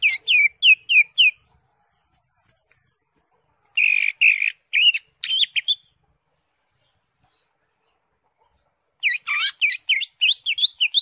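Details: Green leafbird song meant to prompt a caged bird to sing: a run of rapid repeated down-slurred chirps, a pause, a burst of harsher buzzy notes, then a long silence before another fast series of sharp repeated chirps.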